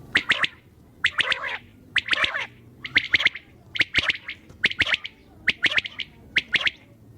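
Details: Common quail at night giving its crisp three-note call, a quick clicking triplet repeated steadily about every second, clean against a quiet background.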